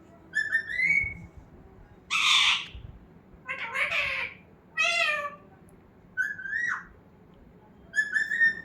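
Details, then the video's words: Domestic talking parrot, offered as a model for teaching other parrots to talk, producing about six spaced, meow-like drawn notes: some smooth and rising, others harsh and raspy, each lasting roughly half a second, indoors with little background noise. "Talking parrot"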